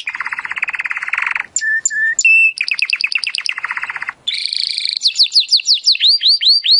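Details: Timbrado canary singing in training audio: a low rapid rolling trill, short whistled notes, a quick repeated metallic trill, then high swooping notes repeated about three per second.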